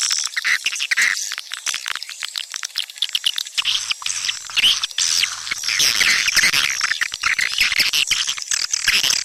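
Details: Swiftlets in a lure recording for drawing them to nesting houses: dense, overlapping high chirps and twitters, a constant chattering mass with sharp clicks throughout, no pause across the stretch.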